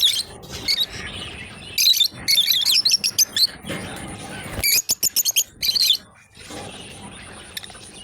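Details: A pair of lovebirds playing together, giving bursts of shrill, high chirps in quick clusters, then a fast run of sharp repeated notes and a few more bright squeaks, with quiet hiss between bursts.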